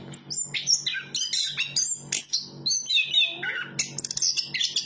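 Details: Anis kembang song: fast, jumbled sequence of high whistled notes, buzzy bursts and falling slurs, with a longer descending phrase near the middle; low hum in the background.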